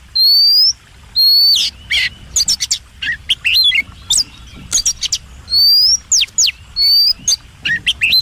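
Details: White-rumped shama, known as kacer, in a master song for contest birds: long pure whistles interspersed with sharp downslurred notes and short chips, a steady low hum behind.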